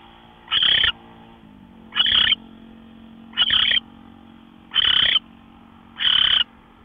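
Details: Owl at 5:27 AM on March 24, 2013, giving five breathy, screechy hisses of about half a second each, evenly spaced about 1.3 seconds apart, with a low constant hum underneath.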